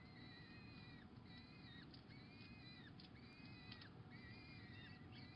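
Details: A female peregrine falcon feeding a pigeon to her chicks on 26 April 2021 gives thin, drawn-out whining notes about once a second, over a steady low rumble of wind or distant traffic.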